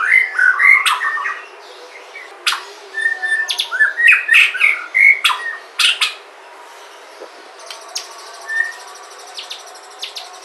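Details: Native Sumatran white-rumped shama song used to prompt other shamas to sing: bursts of sharp clicks, chips and short whistled notes in the first six seconds, then fainter scattered notes and a high rattling trill.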